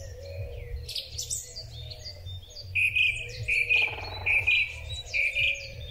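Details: Song thrush singing in spring, phone recording on a Huawei P30 Pro: soft background twitters, then a loud double note repeated about six times at even intervals, with a faint low buzz.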